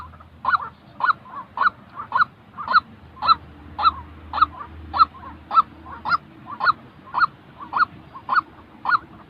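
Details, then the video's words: Long regular run of nasal 'kwak' notes from a white-breasted waterhen, recorded for training decoy birds used in trapping, nearly two calls a second over a low rumble. "tiếng chim quốc thật"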